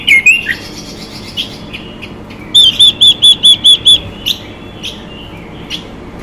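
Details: Female Chinese hwamei calling to excite males: a few slurred whistles open, then after a pause a rapid row of seven clear, identical high notes, followed by soft isolated chirps.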